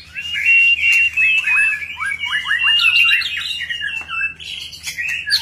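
White-rumped shama singing a rich, varied run of clear whistles, rapid slurred phrases and sharp chattering notes, nearly continuous for five seconds; a low hum sits underneath.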